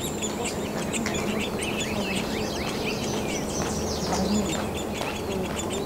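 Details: Downy Woodpecker nestlings, at least three, begging inside a nest cavity as adults visit to feed them in late May to early June 2023, keep up a dense chorus of high, buzzy, overlapping chirps over a low steady hum.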